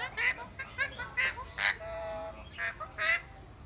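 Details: Eclectus parrot giving harsh, nasal honking calls in short bursts, about six spaced through the moment, with a steady faint tone and soft room noise beneath.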